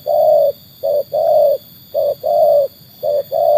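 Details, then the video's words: Trained tekukur (spotted dove) whose call quality is tested against wild birds; low, steady coos around 600, short note then longer drawn note, repeated in pairs roughly every second, loud and clear indoors with faint background hum. "Alhamdulillah kualitas burung tekukur ajaran sudah teruji oleh burung liar."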